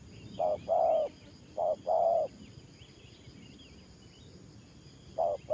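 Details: Decoy spotted dove cooing in 'thổ pha' style. Two short-then-long coo pairs come early, then a long pause before another pair begins. Background hiss and faint high bird chirps fill the gap.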